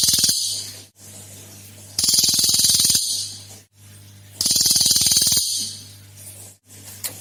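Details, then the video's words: Cililin in full voice as a lure to set other birds singing: roughly one-second bursts of rapid, dry, chattering ticks, high and hissy, returning every couple of seconds with quiet gaps and a constant low hum beneath. "SUARA ASLI CILILIN GACOR / Tembakan 3 Jenis Suara Jarang Ada !!! PANCINGAN BUNYI CILILIN"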